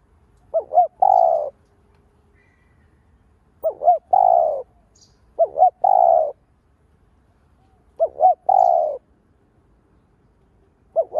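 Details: Spotted dove (cu đất) kept as a decoy, cooing to excite other doves: four repeated phrases, each a double short wobbling note then a full low coo, spaced two to four seconds apart.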